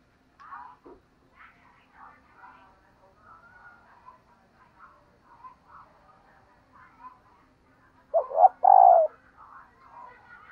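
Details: Female dove calling to stir males: near the end, two short rising coos lead into a longer, louder drawn-out coo, with a soft twittering chorus of other birds running throughout.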